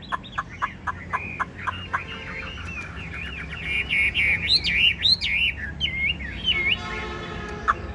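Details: Caged Chinese hwamei, a Vietnamese keeper's songbird, starts with evenly spaced sharp notes and builds into loud, rolling whistled phrases, with faint background noise.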